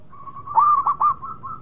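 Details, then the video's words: Short phrase from a local perkutut, the zebra dove: a soft steady tone swells into a rolled coo followed by two clipped notes, then fades back to a low hum. "Perkutut Lokal Gacor Suara Mewah"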